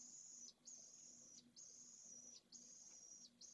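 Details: Begging pallid swift chick fed by its mother at a nest in a school colony in Jerez de la Frontera, Spain, shortly before fledging. Four sustained, thin, high buzzes, each ending with a slight downward dip.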